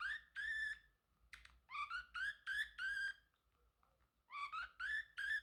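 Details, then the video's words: Pet male Pacific parrotlet singing and chirping: three runs of clear, upward-slurred, ringing notes, each run a handful of quick phrases, separated by short silences. "Parrotlet Talking ✨️ Cute Funny Sounds"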